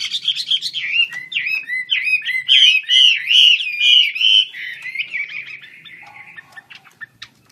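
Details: Chinese hwamei singing vigorously with wings opened: a stream of loud whistled, bouncing phrases repeated steadily, peaking midway, then fading into softer warbles and a low whistle near the end.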